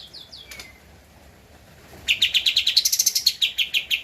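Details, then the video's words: Original recording of a lively Javan white-eye, meant as a master track for cage-bird training: faint descending whistles, a pause, then a brisk run of bright clipped chirps about four per second. "Kapas Tembak Gacor untuk Masteran (suara asli)"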